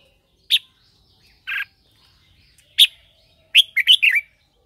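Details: Red-whiskered bulbul lure bird in morning song meant to train birds and call wild ones: separate clear chirps spaced about a second apart, then a fast rolling phrase of several warbled notes; otherwise quiet.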